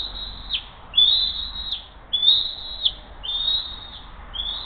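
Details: Morning feeding at the Hays bald eagle nest, June 2023: the mother delivers a second fish and feeds her eaglet. Sharp, high whistled notes, each held briefly then dropping at the end, repeated about once a second, with a few clicks.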